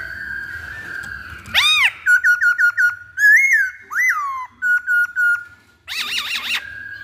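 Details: Chinese hwamei lure song: varied loud whistles, a held tone, a loud arching note, a rapid stutter of short repeated whistles, then slurred rising and falling phrases.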